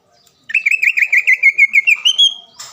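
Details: Green leafbird song used to lure a rival into singing: a sustained warbling trill of rapid, evenly wavering whistled notes that rises slightly in pitch toward the end.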